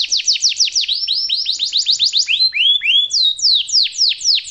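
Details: Canary master song for young birds: quick series of downslurred sweeps, arched rising whistles, then spaced sharp descending notes.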